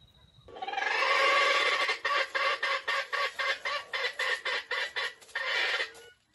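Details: Stuttering crow of a trapped wild junglefowl in bright light: a long drawn rising cry dissolves into a string of about a dozen rapid choppy pulses before one last held note fades out.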